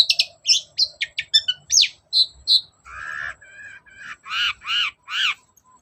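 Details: Long-tailed shrike song as a lure for a shrike that will not sing: quick sharp chips and whistled downslurs, then a few rough buzzy notes, ending with loud arched nasal calls about every third of a second.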